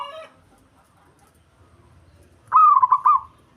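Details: Local zebra dove, an Indonesian bird kept to provoke rivals. A faint murmur gives way to one loud, stuttering phrase of rapid bubbling coo notes near the end.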